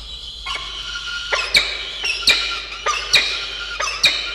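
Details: Peregrine falcon chicks in a nest box on a university campus in Orange, New South Wales, Australia: sharp, high squealing cries repeated roughly every 0.7 seconds, each starting with a click-like onset, steady background hum.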